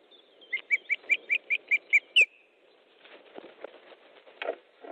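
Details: Osprey at an Estonian nest during an evening fish delivery in July 2014: a rapid string of about nine piercing whistled yelps ending in one higher note, followed by rustling and knocks.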